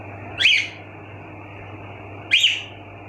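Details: Two clear, rising-and-falling whistled chirps from pet cockatiels in a room, spaced about two seconds apart over a constant low hum.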